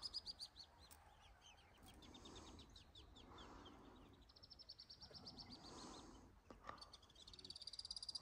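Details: Alpine swift above a lake: bursts of high, rapid pulsed trilling alternate with quieter stretches of lower background noise, and a loud trill closes the clip.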